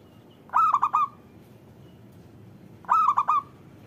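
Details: Cooing of a local zebra dove, played to coax lazy doves into calling; two phrases of four rapid rolling notes each, about two and a half seconds apart, over low hiss.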